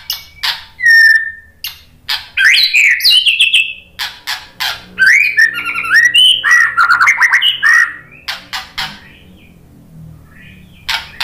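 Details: White-rumped shama song used as a lure to provoke a caged bird into replying: loud varied whistled phrases, rising and falling slurs and rapid chattering notes, broken by short sharp clicks and pauses.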